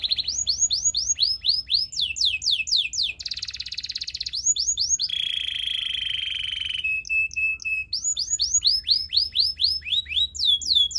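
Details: Belgian canary song intended to seduce other canaries: repeated falling chirp series, a buzzy trill, a long steady whistled note, then more rolling chirp sequences, loud and varied throughout.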